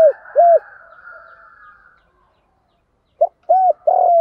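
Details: Spotted dove decoy call aimed at luring wild doves. Arched coos end one phrase, with a soft murmuring tail. After a silence, a short note, an arched coo and a long coo start the next phrase.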